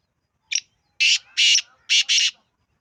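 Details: Black francolin call: a short introductory note, then four loud grating, buzzy notes in a rhythmic series lasting about a second and a half, with nothing else audible.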